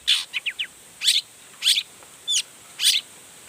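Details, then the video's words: Long-tailed shrike singing intensely to provoke other shrikes. Loud, broadband, harsh bursts come roughly every half second, with a few thin descending whistles between them. "Cendet Gacor Full Emosi Bongkar Materi Bikin Cendet Lain Langsung Panas Nyaut Ikutan Bunyi"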